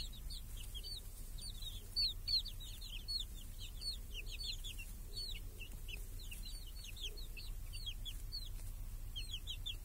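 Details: Chicks and hens outdoors in a village, under a protective cage on a clear summer day; many high, down-slurred cheeps tumble over one another nonstop, thinning slightly near the end, with a low background drone.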